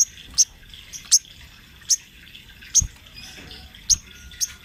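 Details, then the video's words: Sunbird in full rolling song, recorded as a master for training other birds: short, sharp, very high chirps spaced about a second apart, each a brief bright spike over a quiet background. "Suara Burung Sogon Trotol Gacor Ngerol Buat Masteran sogon bahan"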